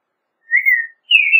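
American robin giving two clear, steady whistled notes, the second slightly higher and cut off short, with quiet between them.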